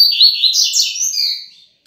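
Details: A captive Rusty-collared Seedeater, let out loose in a room to sun on a cloudy afternoon around 3 pm, sings a quick, high, twittering phrase of tumbling sweet notes that trails off in under two seconds; another seedeater answers from elsewhere.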